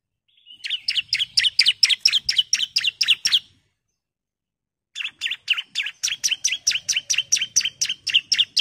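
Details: Female bar-winged prinia calling the male, meant as a lure: two long rattling series of quick, bright chips over a thin steady whistle, split by a silent pause.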